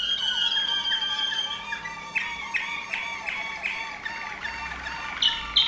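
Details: Singing Waterslager Malinois canary, Veliko Gradiste, Serbia: a sustained trill followed by evenly spaced bubbling notes, each with rich harmonics, about two per second, ending in a brighter flourish.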